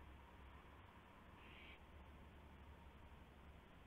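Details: Owl at the nest at night, 1:00 AM on March 24, 2016, when a gopher is brought in as prey; a single brief rasping hiss heard over constant low rumbling background noise.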